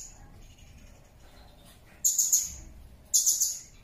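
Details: Blue-crowned hanging parrot (Loriculus galgulus) song: two quick bursts of very high, thin, sharp notes, each a rapid run of shrill tsee sounds about a second apart.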